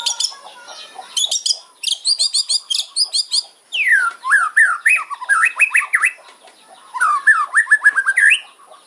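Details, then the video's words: Loud kretekan fighter song of a white-rumped shama, sharp fills meant to rile opponents: clipped high ticking bursts open, then a sequence of quick rising whistled sweeps repeated in fast runs. "KRETEKAN MURAI KERAS FIGHTER ISIAN TAJAM BIKIN LAWAN EMOSI"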